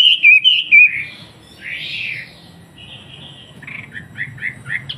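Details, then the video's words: Wambi from a Surabaya collection singing as master material for young bulbuls. Three bright whistled phrases, then a softer hoarse note and a quiet warbled stretch ending in short repeated chirps. "MASTERI TRUCUKAN & BURUNG KICAUAN MU DENGAN SUARA BURUNG WAMBI GACOR"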